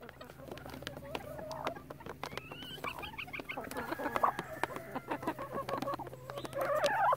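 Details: Chickens in a relaxed flock give a mix of soft clucks, short falling squawks and a brief run of quick rising notes, many birds overlapping, with a faint low hum and tapping in the background.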